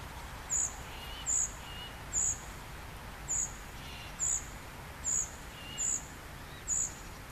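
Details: A young common cuckoo being fed by a great reed warbler gives thin, very high hissing begging notes, about one every second, with faint lower chirps and a steady rural background hiss.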